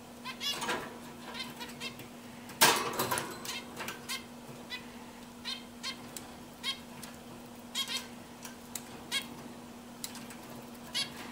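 A zebra finch sings short, nasal, buzzy notes in a quick, irregular series over a steady low hum.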